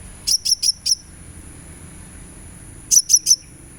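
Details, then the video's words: Sunbird sound used as therapy to get a bird singing: four sharp, very high chirps in quick succession, a pause, then three more, over a steady thin high-pitched whine. "suara terapi kolibri supaya gacor"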